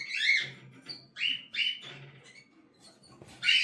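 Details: Cockatiel chicks uttering short, harsh squawking bursts in quick succession, with brief pauses between them and a last loud rasp at the end.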